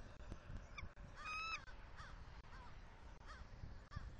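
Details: Mating eagle pair, a male and new female, at their Southwest Florida nest on 10.1.23 in the morning, amid stick-carrying. A long, clear whistled tone is followed by a string of short, slurred chirps over wind rumble.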